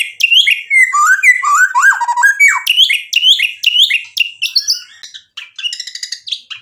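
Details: Energetic white-rumped shama song full of mimicked material to trigger answering birds: loud fluid descending whistled slurs in quick succession, about two a second, fading into softer buzzy high trills at the end.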